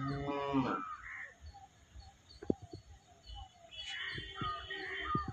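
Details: Village hens with little chicks: a low, harmonic clucking burst opens, then brief high peeps and short sharp ticks follow, with a faint steady high tone and light background murmur.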